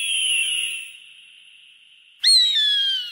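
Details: The fading ring of a previous cry gives way to a loud hawk scream, a strong whistled note dropping gradually in pitch, played to scare away birds.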